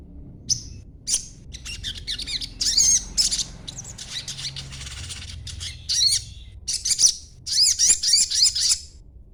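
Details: Young crimson sunbird in green plumage, chattering as a lure for other birds; repeated spurts of quick, high, squeaky twitters separated by short pauses.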